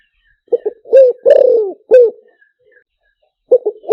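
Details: Cooing of a spotted dove, used with a speaker to lure birds. Quick doubled soft notes, then three full, loud, falling coos. A new phrase begins just before the end.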